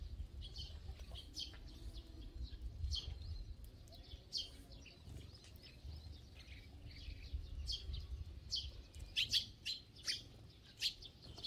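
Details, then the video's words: Feeding together in a flock, sparrows keep up a busy chatter of bright, clipped tweets, sometimes in quick clusters and growing denser toward the end, over low background rumble. "참새들의 합창"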